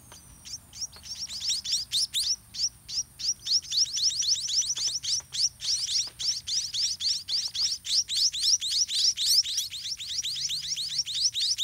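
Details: White-rumped munia chicks begging in the nest as parent birds feed them by regurgitating food; rapid, high, rising squeaky chirps repeated about three to four times per second, building from sparse notes into a dense, continuous chorus.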